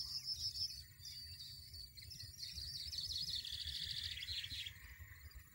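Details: Wild European goldfinch in a rapid, liquid twittering song of quick high notes and buzzy trills, sliding slightly lower toward the end, over a low background rumble.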